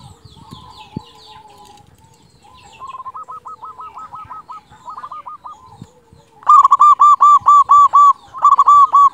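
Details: Local zebra dove, a loud-voiced, actively singing bird kept as a tutor to stir silent or stressed doves and for luring; soft cooing notes give way to rapid, rolling series of repeated coos, growing much louder toward the end.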